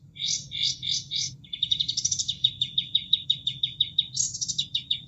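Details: Kapas tembak bulbul in a cage, recorded as training material for other songbirds: clustered high buzzy bursts, then a long run of fast repeated sharp notes about three per second, over soft running water.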